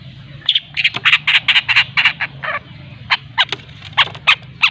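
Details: Long-tailed shrike from Lampung, a young bird learning to sing, giving a rapid series of harsh, scratchy chattering notes, about three or four per second, with steady low hum behind.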